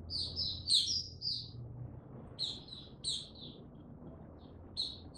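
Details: Male white-eye (mata puteh) still hesitant, gaining confidence before the Tsunami song, dated 06032022; a short twittering burst, then sparse separated high chirps over low background hum.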